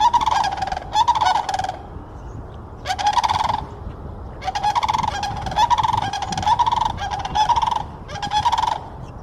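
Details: Sandhill cranes calling in Florida: loud, rolling, trumpeting rattles given in repeated bursts of about a second each, several cranes overlapping, with short pauses between bouts and a low background rumble.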